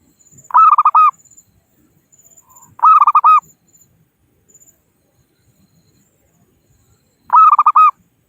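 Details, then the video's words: Local zebra dove from the wild, calling rivals for use as a trapping lure; three strong phrases of fast, trilled cooing notes arrive every two to four seconds against near silence. "Suara Burung Perkutut Lokal Pikat Gacor Ahlinya Memanggil Lawan"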